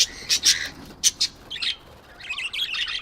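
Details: Baby budgies at home, a pet parrot's first chirps: short high scratchy chirps in bursts, then a softer warbling chatter.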